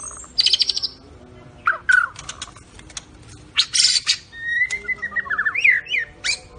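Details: ["Medan-type white-rumped shama giving 'cililin' and 'besetan' song: short buzzy bursts and rattles, then a long level whistle and a rapid falling note series."]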